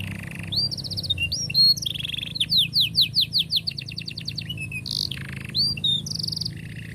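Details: Canary singing to teach young canaries: buzzy rolled notes, then a fast series of repeated rising chirps, followed by bright trills and whistles, with faint low hum behind.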